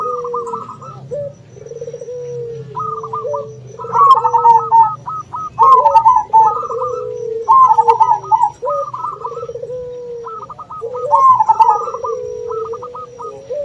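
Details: Local zebra dove calling to draw rivals to answer, mixed with another dove (puter): fast staccato trilled coos repeating in bursts, with lower rolling coos beneath and a steady faint high tone throughout.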